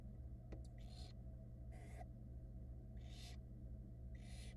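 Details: Nestling barn owls in Florida, 2022, complain as their wet mother dries off. A sharp click comes first, then four wheezy hissing screeches, each under half a second, against a steady hum.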